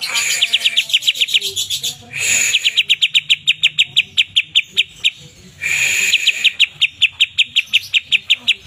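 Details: Greater green leafbird (cucak ijo), one of twelve kept birds described as chatty and singing freely, a mimic of other birds: rapid runs of sharp, high chipping notes repeated about four per second, broken by two short harsh rushing bursts.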